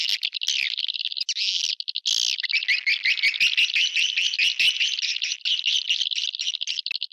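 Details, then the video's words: Luring call for swiftlets: an unbroken, high warbling trill of quick wavering chirps, with a few brief sharp clicks scattered through. "Suara Tarik Burung Walet"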